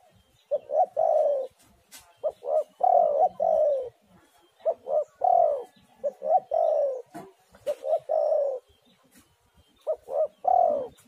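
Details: Extended spotted dove song for drawing other doves to sing: a regular run of phrases, each with two short coos and a longer, falling coo, repeated about every two seconds.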